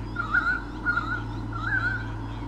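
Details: White-bellied sea eagle pair at Sydney Olympic Park, Australia, in 2013, defending their territory from swooping currawongs: three bursts of honking, slightly wavering calls about half a second apart, over a steady low mechanical hum.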